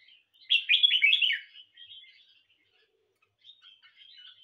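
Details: Red-whiskered bulbul kept at home, singing in competition: one loud, rapid, rolling warbled phrase lasting about a second, followed by softer chirps and a quiet, twittering tail.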